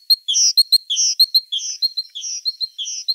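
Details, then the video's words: Great tit (Parus major) singing: a high, bright phrase of three or four quick notes, one clear whistle and a slurred downward note, repeated rapidly about twice a second without pause for the whole stretch, in otherwise quiet surroundings. "Great tit (Parus major). Singing birds"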